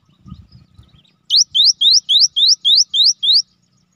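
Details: Cinereous tit (gelatik batu) song, used as a lure: faint scuffling, then eight crisp rising whistled notes in a rapid, regular string.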